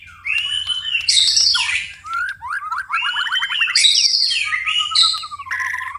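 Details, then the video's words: Night-time white-rumped shama song mixing clear level whistles, a quick rattling trill of sliding notes, bright harsh bursts and a wavering whistle at the end, over a faint low hum. "murai batu tetap gacor di malam hari"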